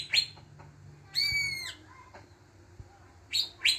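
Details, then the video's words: Greater green leafbird sound used as a lure to set other birds singing: a few short scattered chips around a drawn-out, slightly falling clear whistle, over a low background hum. "pancingan cucak ijo bahan, pasti bunyi"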